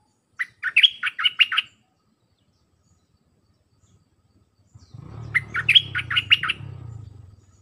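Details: Caged Red-whiskered bulbul song used to train hand-raised and young wild-caught birds, dense phrases of the dok style: two bursts of quick, chirpy, warbled notes about four seconds apart, the second over a low rumbling background noise.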